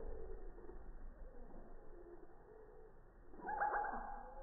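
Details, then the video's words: Hummingbird at a feeder on a quiet morning, recorded from three feet away on a phone and slowed down in slow motion. A loud burst of low, dense warbling notes comes near the end after a quieter stretch. "Song of the Hummingbird"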